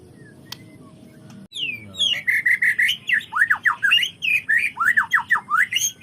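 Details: White-rumped shama singing to draw out the learned repertoire of other shamas: after a quiet start with a single click, an energetic burst of rapid downslurred whistles and chatter runs on without pause, repeated about three times a second.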